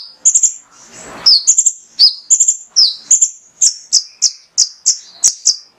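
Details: Male mangrove whistler in full song to prompt other birds to sing: after a short rustle, a brisk sequence of high whistled notes, many in quick doubled pulses, each dropping slightly in pitch.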